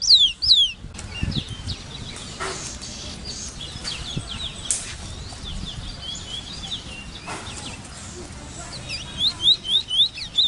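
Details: Large-billed seed-finch (Sporophila crassirostris) song: bright, fast whistled phrases at the start and end, with softer notes between, a few thumps and a steady background hiss.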